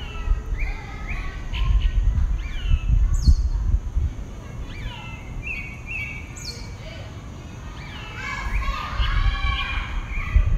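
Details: Dawn singing by a single pale-breasted thrush, southeastern Brazil: varied whistled phrases with sharp high upslurs, a pause, then a dense burst of rich warbled notes, over low rumbling noise.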